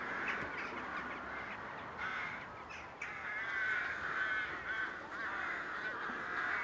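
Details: Rooks in a rookery during courtship display, giving a near-continuous chorus of raspy, overlapping caws from many birds, with no clear gaps.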